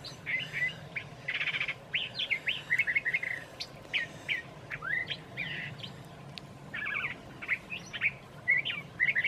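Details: Curve-billed thrasher singing in Santa Fe, New Mexico, on a mild March evening from among branches. It gives a long run of varied, rich warbled phrases with chirps and short whistles, and a meadowlark sings in the background.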